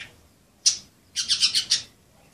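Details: Budgerigars at play: one sharp scratchy squawk, then a quick run of five buzzy, rasping chirps close together, all high-pitched and loud against a quiet room.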